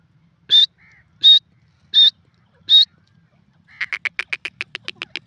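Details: Grey francolin (gora teetar) calling: four loud, high, piercing notes spaced about three-quarters of a second apart, followed by a fast run of a dozen sharp clicking notes at a slightly lower pitch.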